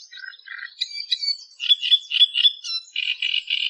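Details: Australian reed warbler singing in the wild: a varied jumble of squeaky whistles and harsh notes, ending in a series of grating churrs repeated about three times a second.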